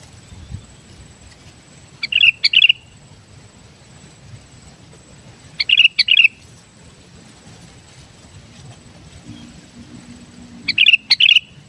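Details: Lively song of a kept sooty-headed bulbul, played to lure wild bulbuls: three short bubbling phrases of clipped notes and liquid whistles, spaced roughly four seconds apart over a quiet, faintly humming background.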